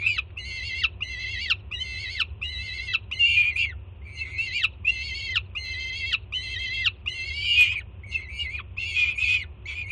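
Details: Peregrine falcon youngster on a Jersey City nest cam, 24 June 2017, excitedly screaming as its banded first-time mother brings breakfast; about fifteen harsh, evenly spaced cries, each bending downward at the end, constant low hum.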